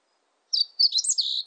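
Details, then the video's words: Brief burst of a meadow bunting's song, a fast run of high chirps and thin, buzzy slurs lasting about one second, in a quiet setting. "멧새, 1번 듣기"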